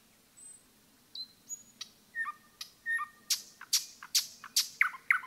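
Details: Common nightingale song in woodland, fairly quiet: thin high whistles and a few flat piping notes, then a sequence of loud sharp, whip-like clicking strokes repeated roughly twice a second, over a faint low background hum.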